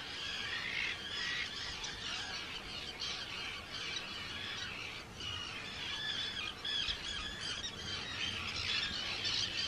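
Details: Arctic tern breeding colony, Rottumerplaat, Groningen, Netherlands, 4 June 2023; many birds give rasping, high-pitched screeches that overlap without pause, some nearer calls standing out clearly above the chorus.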